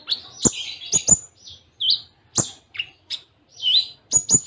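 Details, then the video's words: Konin (kolibri ninja) master song with cililin-style filling: varied high chirps, short slurred whistles and sharp clicking notes in quick, irregular succession, phrases closely spaced. "Masteran Konin Full Tembaan Cililin Jeda Rapat"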